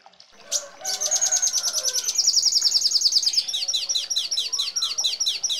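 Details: Red siskin opening with a sharp note, then a long high twittering trill that shifts into a series of quick, clipped descending notes repeated steadily.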